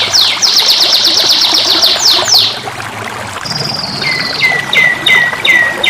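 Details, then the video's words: Young canary song opening with a fast, even trill of high sharp notes, then a steady high tone and a run of repeated down-slurred whistles, roughly three per second, with a soft low background hum. "KENARI PAUD AUTO GACOR | KANARYA | CANARIES | CANARIO | CANARY SINGING"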